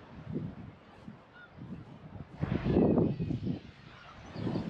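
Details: Breeding colony of black-tailed gulls with chicks in early summer, 10 June, on Kabushima island, Hachinohe, Japan. A brief harsh cry bursts out near the middle over continuous low hubbub and wind rumble.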